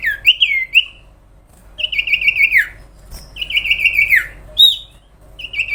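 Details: Sooty-headed bulbul singing long, continuous phrases: loud, rich whistles held steady, then sliding downward at the end, three main phrases with brief gaps and a few sharp upward notes between.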